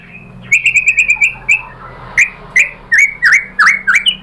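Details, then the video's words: White-rumped shama (murai batu) song used as a lure to make other shamas answer: a rapid run of about eight short sharp chirps, then loud rising and falling whistles with upward-flicked notes, repeated roughly every third of a second. "OCEHAN MURAI BATU bikin NYAUT jadi EMOSI NYAUT GACOR BONGKAR MATERI ¦ PANCINGAN MURAI ¦ SHAMA BIRD"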